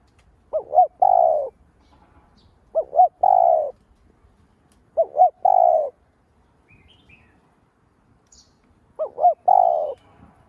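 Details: Lure spotted dove cooing to stimulate other doves to coo. Low hooting phrases, each two short rising coos then one longer drawn-out coo, repeated four times about every two seconds over a quiet background.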